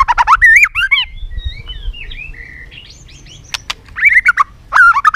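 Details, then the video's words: White-rumped shama singing competitively, rich chattering whistled phrases at the start and end with quieter soft warbles and a few clicks between. "chòe lửa tạch liên tục đập đuôi dùng kích chòe lửa lên lửa hót đấu"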